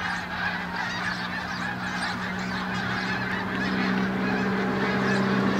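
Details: Early-morning flock of Canada geese flying over Farnham, 18 December 2015: rapid overlapping honks, about four per second, over a constant low droning tone that grows slightly louder toward the end.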